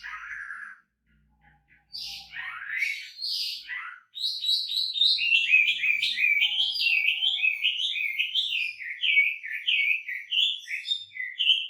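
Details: Energetic wambi song: a low burry phrase and swooping whistles, a short gap, then a rapid, continuous stream of sharp, bouncy notes, almost two per second, slowly dropping in pitch, on a clean background.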